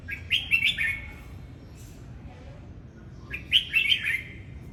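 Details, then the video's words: Red-whiskered bulbul song given during its dance display, two cheerful warbled phrases of rapid slurred whistles about three seconds apart, each ending in a downward slide, over steady low background noise. "Chào mào hót múa"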